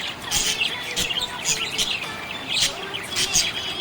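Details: A contented budgerigar chirps in fast, bright tweets mixed with soft warbling, with louder clusters of notes every second or so.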